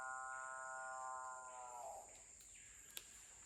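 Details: Capuchinbirds calling at a lek in Guyana in September 2021. One gives a long, rich, cow-like moan that holds steady, then sags and fades, over a constant high insect whine.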